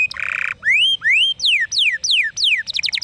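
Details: Canary singing a long, drawn-out song; a buzzy trill, then a run of bright upward-sweeping whistled slurs and descending notes, ending in rapid stacked chirps.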